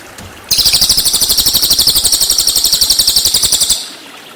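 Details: Cililin, a training recording for white-rumped shama: a single shrill trill of rapid, even pulses lasting a little over three seconds, starting abruptly and ending cleanly over a faint hissing background.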